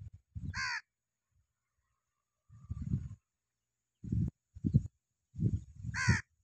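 Cattle egret giving low, harsh, guttural croaks in short bursts, about five in six seconds, with two brief higher, raspy nasal notes.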